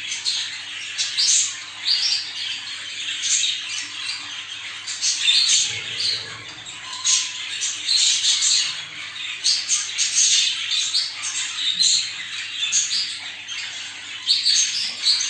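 Budgerigars chatter nonstop in dense, scratchy warbles and squawks, a flock sound used to stimulate breeding.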